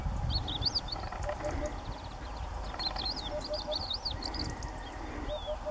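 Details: Eurasian hoopoe singing atop the wall of a ruined house on a sunny day, its quiet three-note hollow hoots recurring at intervals beneath louder warbling and twittering of other songbirds and a low background rumble.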